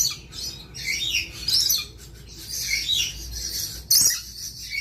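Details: Lorikeet giving a near-continuous run of raspy, high-pitched squawks and chattering notes, ending in a sharp loud screech, with a low background hum.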